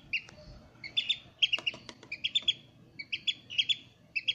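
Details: A newly hatched Eurasian oystercatcher chick at Prague Zoo, recorded 24 July, gives thin, high peeps in quick pairs and short bursts, about twice a second, over a faint low background hum.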